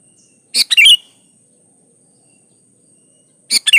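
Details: Sooty-headed bulbul song, played to coax other bulbuls into singing: one bright chattering phrase with a slurred whistle, a long quiet pause, then the start of another phrase.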